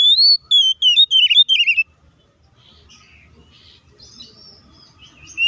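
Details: Combative song of an Oriental magpie-robin, intended to anger rival magpie-robins: a short, energetic burst of clear descending whistles and trills, followed by soft distant chirps and quiet, then a final loud note.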